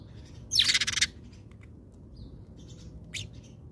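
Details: At a South African feeder, house sparrows give a loud, rasping cluster of quick chirps lasting about half a second, followed by softer scattered chirps and one brief sharp note, over low background rumble.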